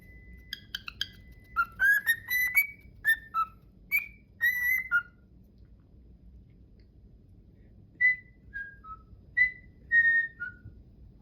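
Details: A cockatiel whistles the tune from My Neighbor Totoro in clear, bright notes that step up and down, with its owner singing along.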